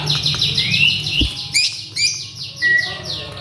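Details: Worked-up male Asian pied starling delivering rapid, overlapping downslurred whistles and chatter. A lower thump sounds midway, followed by a few sharper rising and falling notes and one flat whistled tone.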